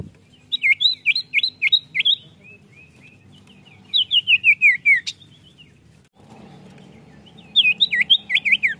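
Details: Common iora song used as a lure for caged birds: rapid series of sharp looping whistled notes, repeated in bursts of about six to eight, with short soft notes between bursts and a low background hum.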